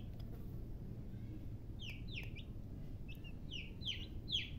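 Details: Chicks of domestic chicken utter loud, high, downward-sliding peeps, first two close together, then a rapid series of five rising in strength near the end; faint low rumble behind.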